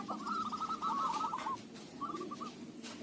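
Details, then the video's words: Local zebra dove giving a lure-type song: a rapid, rolling trill of cooing notes, then a short pause and a briefer trill, heard faintly over steady background hiss and rumble. "Perkutut lokal suara cocok buat pancingan"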